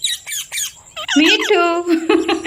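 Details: Parrot voice: short raspy speech-like syllables, then a long, steady, strained drawn-out vocalisation with rich overtones, ending in a brief upward squeak.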